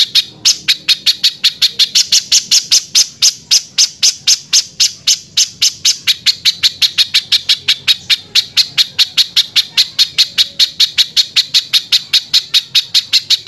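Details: Persistent spiderhunter song with a rough, harsh voice, used to train other birds: a long unbroken volley of sharp, raspy chips, around four to five per second for over thirteen seconds, slightly louder early on.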